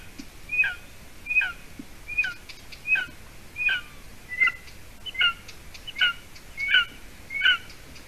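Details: Golden eaglet, seven weeks old, at its nest in Latvia, evening of 30 June 2020 around 6:20 p.m., as the adult female brings roe deer leg hide. High, thin, two-part piercing calls, each dropping in pitch, repeated steadily about every 0.75 seconds.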